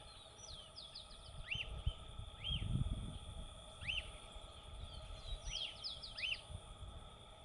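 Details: Lesser elaenia singing in the wild: short arched, burry notes repeated several times, interleaved with thin, quick twittering from other small birds over steady low background noise.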